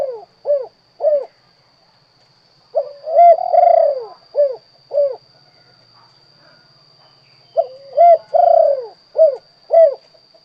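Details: Spotted dove singing the "kuk 2" song type. Low, mellow coos come in phrases: short single hoots, then a longer, drawn-out rolling coo. The phrase repeats twice, with a faint steady high whine in the background.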